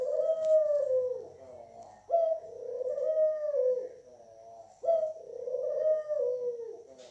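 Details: Captive Barbary dove cooing: a series of drawn-out, purring coos roughly every two and a half seconds, each opening with a sharp onset and then sliding gently downward.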